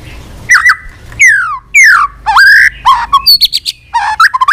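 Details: White-rumped shama in a varied, many-voiced fighting song, used for training and provoking other shamas: rich whistles that slide downward, upward sweeps and warbled phrases, ending with quick chattering notes and short trills.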